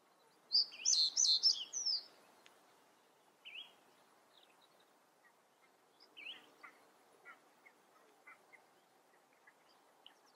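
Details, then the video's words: A common reed bunting sings a short, jingling phrase of a few high, clipped notes, then gives scattered thin chips and single notes over faint background hiss. "Rohrammer singt. Common Reed Bunting sings"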